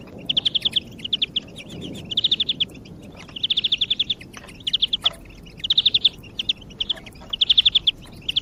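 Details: European greenfinch singing as a lure to encourage other birds: steady succession of rapid rolling trills, each under a second, with brief pauses between, over a quiet low background.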